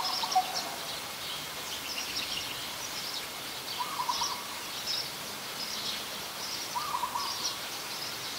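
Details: Coppersmith barbet, a very common resident, recorded in Ubon Ratchathani, Thailand, on 2 January 2021; short low hollow pulsed bursts come every few seconds under a steady high buzzing insect chorus.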